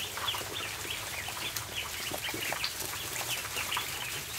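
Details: A crowd of ducklings in a barn at feeding time keeps up dense, overlapping high-pitched peeping, short chirps tumbling one after another amid pecking clicks and shuffling.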